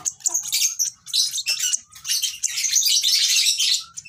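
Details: Baby lovebird producing sharp, high chirps that build into a continuous, scratchy, excited chatter, with faint low background hum.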